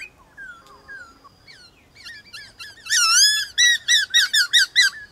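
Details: White-cheeked laughingthrush singing in a morning contest with wild laughingthrushes. It opens with soft scattered whistles, then gives loud, rich upswept notes repeated about twice a second in a rhythmic run.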